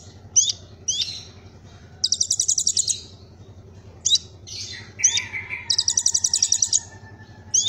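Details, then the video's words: Kolibri ninja singing cililin-style phrases: separate sharp hooked whistles and two rapid high trills, with a lower slurred note, over a constant low background hum. "Kolibri Ninja Isian Cililin"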